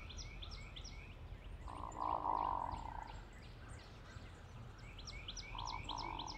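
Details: Flock of hooded mergansers giving their typical grunting: low, rolling, frog-like croaks, one drawn out near the middle and a shorter pair near the end, while many high, quick chirps of other birds sound through the background.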